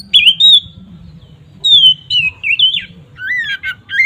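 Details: Oriental magpie-robin giving ngeplong song, played to provoke other magpie-robins: separate whistled phrases with gliding, wavering notes and a few rough chattery notes near the end, over a steady low hum.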